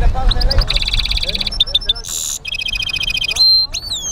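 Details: Energetic song of a caged European goldfinch mule: quick twittering notes leading into a stuttering trill, a hissing buzzy burst, a lower pulsed rattle and a rising whistled slur.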